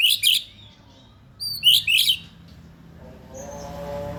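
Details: Male white-rumped shama giving its 'isian' song fill: three short bursts of harsh, buzzy notes mixed with bright slurred whistles, then quiet with a steady low hum and faint noise.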